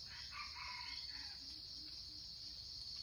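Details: Red junglefowl from Sumatra, its crow used to lure wild birds: a short, hoarse, harmonic crow of about one second, broken into a few rising and falling segments, set against a loud, steady, high-pitched insect drone with faint chirps.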